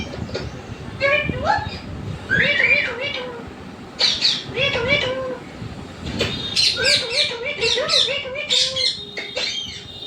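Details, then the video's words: Talking pet parrot uttering wavering, wobbly harmonic syllables in quick clusters, mixed with sharp clicks and squawks, in bursts separated by short gaps, faint hum behind. "मिट्ठू की आवाज"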